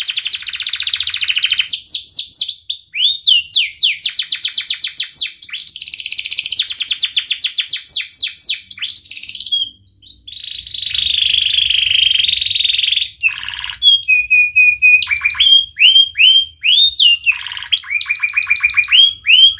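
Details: A canary, kept as a tutor bird to teach young canaries to sing, sings an energetic, fast, varied song of rapid trills, high rolling phrases and clear whistled notes.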